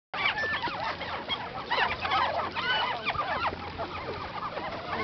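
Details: Several chachalacas feeding at La Julia, El Ávila National Park, Caracas, Venezuela, on 25 September 2011, call at once in a dense, raucous chorus of harsh, clucking and cackling notes that overlap without pause.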